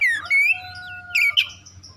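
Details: Song of an oriental magpie-robin, played to stir other birds into aggressive singing: descending whistled slurs, then a rising whistle, a steady tone held underneath, and a couple of sharp squeaky notes.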